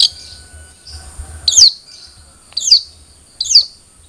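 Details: Long-tailed shrike, a cendet trotol, in a lure recording meant to make a captive bird sing: three loud, sharp downward-sweeping shrieks spaced about a second apart, with faint low hum between.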